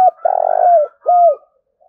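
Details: Loud spotted dove coo given to provoke fighting: a long rough vibrating note falling at its end, followed by a clear whistled coo that dips down; a faint soft note trails after.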